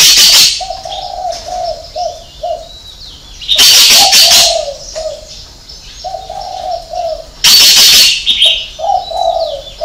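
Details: Spotted dove with a six-note call in the 'hậu 3' style. Groups of three to four hollow coos recur about every three seconds, broken by loud bursts of high chattering from other birds.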